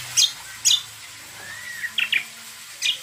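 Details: Cucak kombo, the greater green leafbird, singing as a lure for other birds: spaced, sharp high chirps, a soft rising whistle near the middle, then a close double chirp and a final note.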